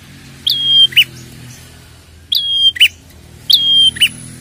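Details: Prinia, described as red-headed, whose lure call is meant to make prinias respond: three spaced phrases, a high whistle slurring down to a steady tone then a brief rough note, against quiet background.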